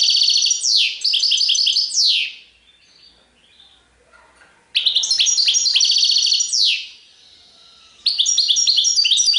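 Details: Three loud bursts of goldfinch song in serfati tiwawati style, each a fast, bright jumble of twitters ending in downward-slurred whistles, separated by quiet gaps of one to two seconds.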